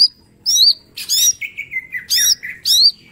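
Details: Caged mini green leafbird in full song as training material: loud, rich high notes alternating with lower buzzy, falling whistled slurs, packed into quick bursts roughly twice a second.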